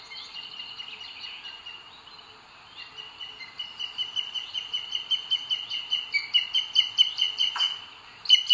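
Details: Booted eagle, nest webcam in Sierra de Guadarrama, Spain, June 2022, male bringing prey to the female. Quiet rapid notes build into louder, ringing whistled calls that grow stronger toward the end, with a sharp click near the close.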